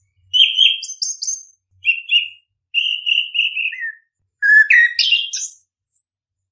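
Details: Orange-headed thrush song used as a lure to make caged birds sing quickly: varied clear whistled phrases with slurred and warbled notes, some dropping, ending in a rising run of thin high whistles; quiet background.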